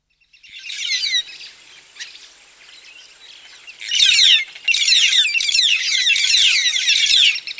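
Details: Several White-headed buffalo weavers singing close by: dense bursts of high, scratchy, rapidly chattering notes, one brief phrase early, then loud near-continuous chatter from four seconds on, with other birds behind and faint low traffic rumble.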